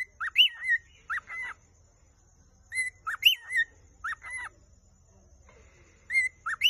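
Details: Vogelkop superb bird-of-paradise in the Arfak Mountains, West Papua, singing a courtship song: paired clear whistled notes, each rising then looping down, given in short phrases about a second apart with pauses between, over faint low background hum.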